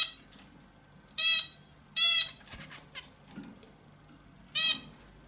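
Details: Indian bulbul giving loud, nasal, harsh calls with a rich harmonic tone, three main bursts of about a quarter second each, spaced irregularly, with faint softer notes between them over a quiet background.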